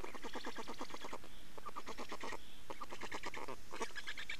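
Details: Estonian black storks at the nest on 24 May 2019, 15:15, during nest change and feeding; loud rhythmic trains of clipped, pulsed notes, about ten per second, in several bursts separated by short gaps.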